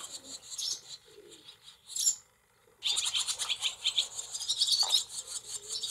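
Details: Barn swallow brood in a cowshed, 28 July 2024: a few high chirps, a brief silence, then loud, continuous rapid twittering from the nestlings.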